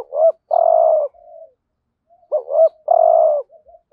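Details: Decoy spotted dove giving the full 'gọi thúc gù' calling routine in the 'hạp bổi' voice used to lure wild doves: two phrases, each a soft lead-in, a rising double note, then a long buzzy coo, followed by quiet murmurs.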